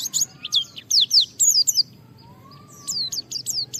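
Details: Japanese white-eye (pleci) singing to challenge rivals and prompt others to sing: a quick string of high down-slurred whistles, a pause of about a second, then more sharp high notes repeated rapidly.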